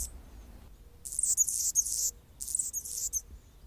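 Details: Male Anna's hummingbird defending its territory while a female feeds a baby in the nest; two bursts of very high, squeaky, scratchy chatter, each about half a second long, separated by a short silence.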